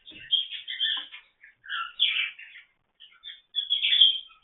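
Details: Cockatiel mother and father give harsh, raspy screeches and chatter in three bursts while protectively guarding their eggs.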